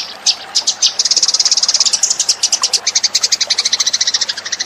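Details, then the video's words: Eurasian tree sparrow lure sound: a few scattered chips that build into continuous rapid chattering of high, sharp notes, some with a lower second tone, repeated several times a second. "suara pikat burung gereja"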